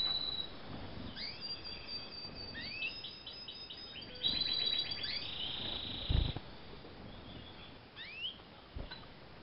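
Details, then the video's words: Eurasian siskin × canary hybrid, bred in 2013, singing in a varied run of high twittering notes, rapid trills and sweeping upslurred whistles, with a brief louder burst near the middle and soft background noise. "HIBRIDOS DE CARDUELIS SPINUS X SERINUS CANÁRIA"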